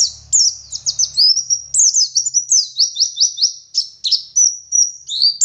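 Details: Oriental white-eye, a local West Java bird from Garut, singing energetically: a rapid run of high, thin, descending whistled notes and slurred chirps, repeated several times a second with brief pauses, with a faint low hum beneath.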